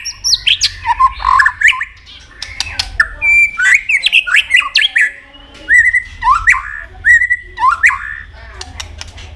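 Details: White-rumped shama in a many-voiced singing contest: a varied medley of harsh squawky notes, sharp clicks and short slurred whistles in irregular bursts.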